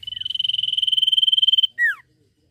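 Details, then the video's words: Sirtu singing vigorously: a fast rattle of rapid pulses held on a steady high pitch for over a second and a half, then one strong note sweeping downward. "SIRTU GACOR NYIUL!"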